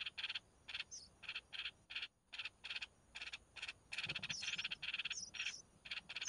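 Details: Red-whiskered bulbul chicks being fed by their mother: a rapid series of harsh, raspy bursts repeated several times a second, with a brief pause midway and a few thin high whistled notes over the top.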